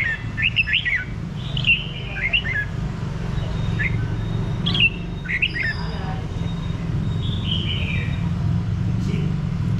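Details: Red-whiskered bulbul singing: short, bright whistled and warbled phrases in quick bursts, some rising then dropping, separated by brief pauses of one to two seconds, set against a constant low rumbling hum.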